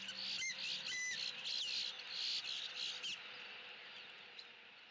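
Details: Eagle pair perched high in their nest tree in Southwest Florida on an October afternoon, loudly voicing disapproval at crows visiting the nest; high thin whistled notes and sliding squeals over a steady insect-like hiss.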